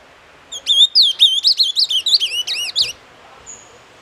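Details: Fast phrase of the doce amargo song by an ultramarine grosbeak, with many short whistled notes rising and dipping in a lively two-second sequence, followed by a faint high thin whistle.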